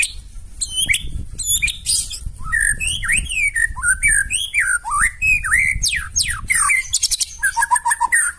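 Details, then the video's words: White-rumped shama singing to provoke other birds: varied slurred whistles, steep descending sweeps and rapid high notes over a constant low background rumble. "KICAUAN MURAI BATU NEMBAK KASAR AUTO NGAMUK SEKALI DENGAR LANGSUNG NYAUT"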